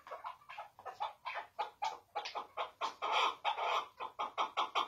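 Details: Chukar partridge giving the song style called hıngırma: a fast, steady series of loud, harsh chuck notes, about four each second, building in strength toward the end, with no other sounds.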